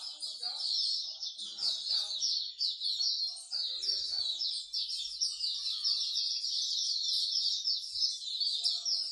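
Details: Overlapping high, lively warbles and chirps from many songbirds at a Singapore bird singing corner, loved by bird keepers, run continuously, with scattered soft voices and a couple of dull taps.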